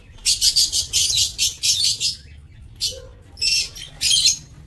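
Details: Breeding-aviary lovebirds, 27 March 2024, give a fast rhythmic string of about eight shrill, grating chirps. A short pause follows, then three more harsh high bursts.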